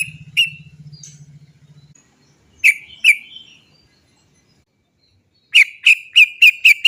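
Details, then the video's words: Sooty-headed bulbul calling, used as a lure to get other sooty-headed bulbuls singing: sharp, bright 'cok' notes, first singly and then a quick run of six, with a low hum and a pause in between. "suara cok cok cok ngerol PANCINGAN burung trucukan agar cepat bunyi"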